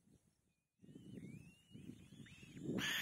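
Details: A young kite being fed its last meal by its mother, and struggling to swallow it, gives thin, high whistles that slide up and down over a steady low wind rumble, ending in a loud burst of noise.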